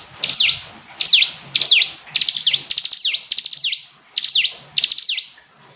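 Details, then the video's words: Repeated song phrases of a hill prinia, about ten in under six seconds, each a rattling series of ticks sliding into a high descending whistle. "Ciblek gunung istimewa, hitungan detik dijamin langsung bunyi ‼️ jernih"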